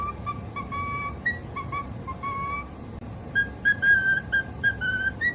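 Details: Pet cockatiel singing: a series of clear, steady whistled notes, some held, some short and rising, repeated in a tuneful pattern over a constant low background hum.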